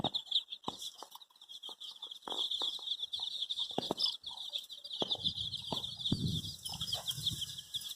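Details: Baby chicks, dyed in various colours, chirping while looking for their mother; a dense continuous chorus of high peeping from many chicks, with scattered clicks and rustling.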